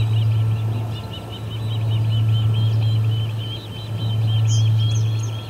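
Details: Osprey at the Charlo P2 nest, August 20, 2020, around 12:10 pm MDT, driving visiting ospreys away from the nest; a steady run of short, high chirping notes over a loud, constant low hum.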